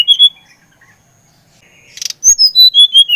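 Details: Brown-chested jungle flycatcher of the Bali type singing to stimulate another bird: two short whistles, a quiet gap, then a fast descending cascade of about six pure whistled notes.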